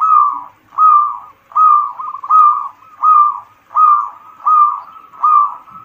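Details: Local zebra dove (perkutut lokal) song played as a lure to stimulate other birds: clear, rounded coos repeated steadily about every three quarters of a second, one with a brief trill.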